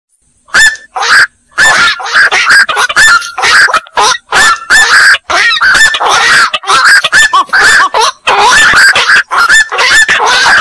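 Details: Black-crowned night heron: a dense run of harsh, squawking calls packed closely together, with overlapping voices suggesting several birds calling at once, and short gaps between bursts.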